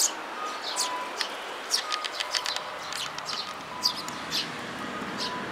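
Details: Eurasian tree sparrows and their chicks, 13 May 2018: frequent quick high chirps and tweets in uneven bursts, some clustered together, over a soft continuous hiss with a faint steady tone.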